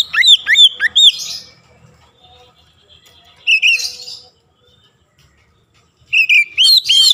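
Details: Oriental magpie-robin song used to provoke other magpie-robins, the bird displaying its varied repertoire: three bursts of loud looping whistles mixed with harsher buzzy notes, separated by gaps of one to two seconds.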